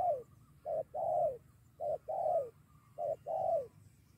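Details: Wild spotted dove drawn to a trapping decoy and ready to fight, calling with a friend: paired soft coos, brief first note followed by a drawn-out descending one, three pairs in steady rhythm, faint rumble beneath.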